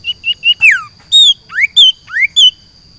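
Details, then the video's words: Caged sirtu put out in a garden, giving a lively phrase of clear whistles: short even notes, then loud downslurred and upslurred whistles alternating in quick succession, with a constant high-pitched tone in the background. "JEMUR SIRTU DI KEBON / MEMBUAT SUASANA BURUNG SIRPU DI ALAM BEBAS"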